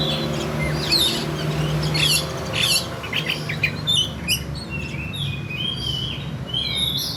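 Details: Oriental magpie-robin fighting song for mental training: scattered sharp chirps and short whistled strokes, some repeated in quick pairs, against a constant noisy background with low hum.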